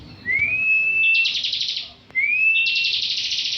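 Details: Caged bar-winged prinia, a contest winner at national bird competitions, in full ngebren song: a thin rising whistle that swells into a long buzzy, rattling trill. The phrase then repeats after a short gap.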